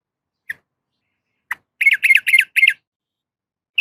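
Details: Yellow-vented bulbul female calling a male, with two isolated sharp notes followed by four evenly spaced, harsh, squawky doubled notes, then one last high note.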